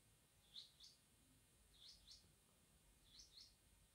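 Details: A female common quail of a local desi strain, used as a hunting call, gives soft, high, paired notes, each pair about a second and a half apart, over a faint steady background hiss.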